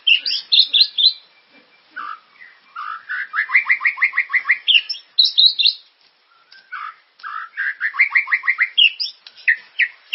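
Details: Singing White-rumped shama, used to encourage caged birds to sing: long rapid series of repeated trilled notes interwoven with high whistled flourishes and chatters, in continuous bouts with a short break midway.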